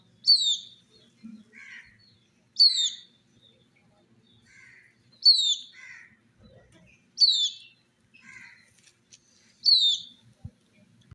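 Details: Chicks drinking water in summer near a hen: five loud, high, downward-sweeping chirps repeated roughly every two to two and a half seconds, each followed by a quieter buzzy chirp, with faint low thumps in the background.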